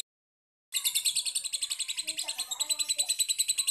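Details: After a brief silence, a lovebird bursts into fast, piercing chatter used as a lure to get other lovebirds singing, with sharp high notes pulsing about five times a second and a faint lower voice beneath.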